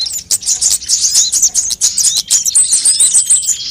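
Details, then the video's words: High, sibilant sunbird twitters, played as bait and as a training model for birds to sing: dense, scratchy chirping at first, settling into a steadier run of thin, piercing, evenly spaced notes. "suara pikat semua jenis burung kolibri"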